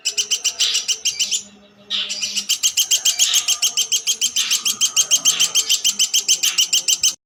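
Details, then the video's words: A steady volley of loud, ringing notes from a platuk sampit woodpecker, delivered several per second with one short gap early on. A soft low hum lies underneath. "Burung Platuk Sampit"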